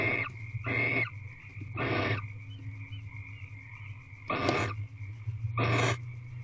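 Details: Barn owl, a female lying on the nest box floor at 5:57 pm on 28 February 2023, gives rough wheezing hisses, about half a second each and irregularly spaced, five in all, with a constant low hum and faint tone behind.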